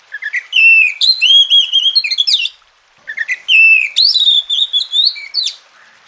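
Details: Tutor song of Oriental magpie-robin meant to make lazy birds sing: two long rich phrases of rising whistles, quick slurs and trills, each lasting over two seconds with a brief gap between.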